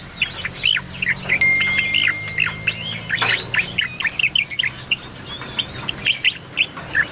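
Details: Cucak loreng bulbul, an actively singing bird recorded for use as master or lure sound for cage birds: dense run of sharp chirps and short slurred whistles, rising and falling, over a low steady hum.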